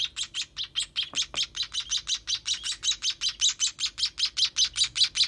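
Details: Young sparrows being fed call in a steady stream of high, piercing chirps, roughly two and a half each second, evenly spaced, with two faint clicks early on.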